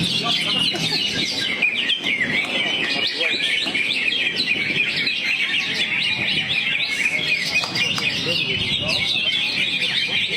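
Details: Greater green leafbird in full song, a rapid, rich cascade of chattering, whistled and mimic-like notes filling the whole stretch, with only faint talk behind it.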